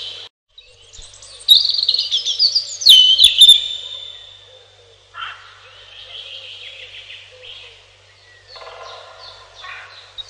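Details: Robin singing in high, thin warbled phrases full of quick trills and slurred notes, a bright burst near the start followed by softer, fainter phrases, with a few sharp clicks mixed in.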